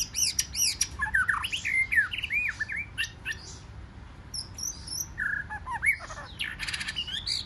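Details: Competitive forest-style singing by a wild-caught white-rumped shama: loud, varied phrases of looping whistles and downslurred notes mixed with scratchy squawks and brief rapid bursts, delivered almost without pause.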